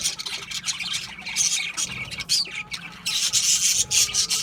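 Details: Budgerigars produce harsh, grating warbles and squeaky chirps in uneven bursts, with short quieter gaps between the louder passages.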